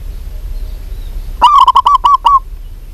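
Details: Local zebra dove, a female calling to a male, gives one quick burst of about seven short, clipped, mid-pitched cooing notes with strong overtones, after a quiet start over a low background hum.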